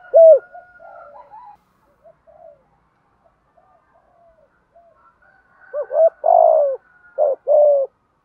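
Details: Decoy spotted dove in thúc gù style, used to stir other doves: faint soft murmurs at first, one loud coo near the start, then a closing burst of low arched coos and a vibrating drawn-out note.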